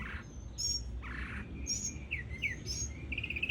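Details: Northern mockingbird, called sinsonte cubano, singing short chirped and trilled phrases, with brief buzzy bursts and rising whistled notes near the end over a low background rumble.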